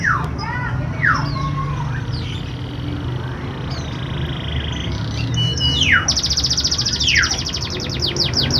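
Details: Canary singing to spur reluctant canaries: sharp downward-sweeping whistled notes and a held whistle, followed by a fast high trill in the last seconds, over a constant low rumble.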